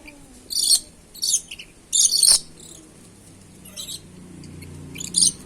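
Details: Red-and-black lory calling with loud, raspy, high screeches in short bursts, some drawn out a little longer, followed by a pause and a final shriek.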